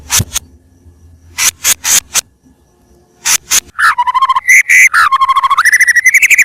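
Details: White-rumped shama song used for luring birds: scattered sharp clicks, then a rich, rapid stream of whistled, warbling notes with strong harmonics, speeding into a quick trill near the end.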